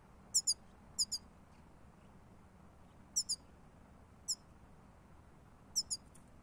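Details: European goldfinch giving short, bright, high-pitched call notes, mostly in quick doubled pairs, spaced irregularly about once every second or so, over a quiet background.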